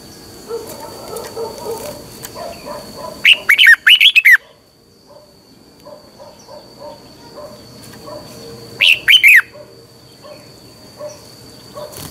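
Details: Red-whiskered bulbul singing its morning song, a double-voice style used as a lure for training caged birds: two brief bright warbled phrases several seconds apart, over steady soft low chirping and a faint constant high tone.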